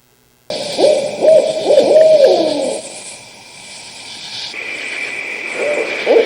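Barred owls give wild, wavering hoots and cackling, laughing calls that rise and fall in a frantic jumble, with a steady background hum.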